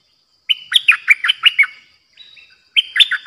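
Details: Streak-eared bulbul, a new decoy bird, recorded 06/05/2022, giving only its opening calls: a rapid string of bright, bubbly chirps, a brief pause, then another burst; no other sounds stand out.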